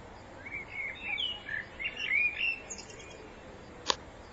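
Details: A common blackbird (Turdus merula) sings in spring a mellow, fluted warble of several phrases lasting about two seconds, ending in a thin, high twitter, with a faint click afterward.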